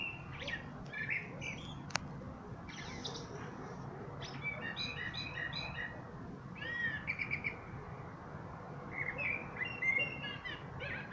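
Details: Common blackbird in song: bursts of fluty whistles and chattering twitters in several phrases, one sharp click, with steady low hum behind.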